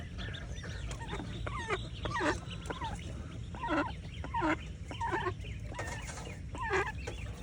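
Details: Mallard mother swimming with her ducklings in the morning: a string of short, nasal, harmonic calls a second or so apart, mixed with fainter high peeps, over constant low background noise.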